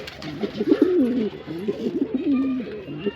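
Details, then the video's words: Male pigeon giving low, wavering coos that rise and fall in smooth loops, several phrases running close together across three seconds, with faint murmuring in the background. "Pigeon Sound Effect"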